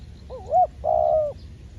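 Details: Trained decoy spotted dove calling during a dove-trapping session: one two-part coo, a wavering rising-falling note followed by a longer, steady, slightly falling croon, over a low background rumble.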